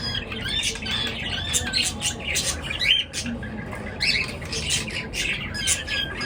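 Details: Birds chirping in the morning, several voices at once: sharp squawks and quick high twitters in bursts about once a second, busy and unbroken, with a faint low hum underneath.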